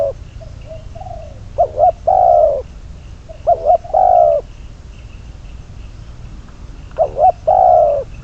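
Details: Spotted dove used as a decoy bird for trapping, giving repeated coos: a quick double note followed by a longer, falling hooted coo, phrases repeating about every two to three seconds, with a faint steady high whine behind.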